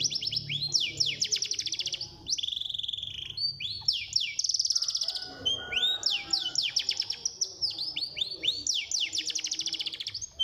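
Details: Lively birdsong for coaxing caged birds to sing: high sweeping notes tumbling downward in rapid chattering runs, interspersed with brief steady whistles, dense and unbroken throughout, with a faint low background murmur.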